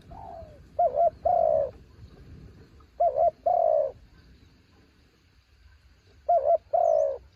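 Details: Spotted dove kept as a decoy bird, described as a mountain bird calling in strong wind: three cooing phrases, each a quick wavering double note followed by a long, slightly falling coo, with low rumbling background.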